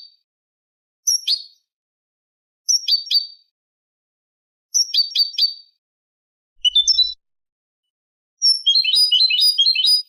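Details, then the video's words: Eurasian goldfinch tutor recording in the Cubia Malaga (Manolo) style, meant for teaching chicks and hybrids. Crisp high tinkling phrases repeat at intervals, ending in a faster twittering run. "شريط كوبية ملقا (Manolo) original لتلقين فراخ الحسون والهجين"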